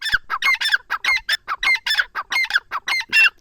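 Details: Harsh, strident call of a grey francolin (teetar) from Dera Ghazi Khan, Pakistan: grating two-part notes hammered out in a quick, insistent run, roughly four per second, with no other sounds.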